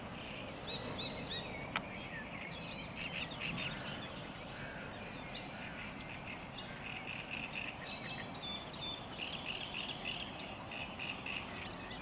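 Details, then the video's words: Song of a Eurasian reed warbler by Lake Czerniakowskie, 24 May 2021. Rapid, uneven chatter of grating and churring notes repeats for twelve seconds, some phrases doubled, over a rumbling background. "Śpiew trzciniaka"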